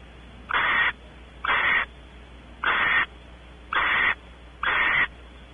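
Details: Barn owls at a nest cavity on Audubon Starr Ranch, California; the male goes exploring inside while the female expects mating. Five harsh, hissing screech bursts, each about half a second long, come roughly once per second.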